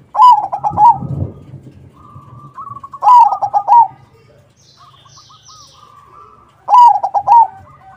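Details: Lively crossbred zebra dove singing to lure other zebra doves into answering. Three loud phrases of bubbling, rapidly stuttered coos come about every three seconds. Softer coos from other birds fill the gaps, with a brief low rumble.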